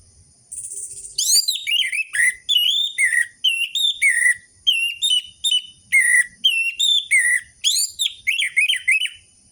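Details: Varied whistled song attributed to an orange-headed thrush, used to lure captive birds into singing: continuous series of rich slurred phrases rising and falling, each about half a second, with frequent high sharp notes.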